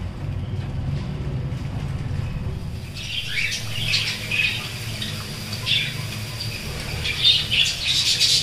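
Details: Caged cockatiel where a female has just hatched a single chick, kept alongside budgies; after three quiet seconds, harsh high squawks and chirps break out irregularly over a low steady hum.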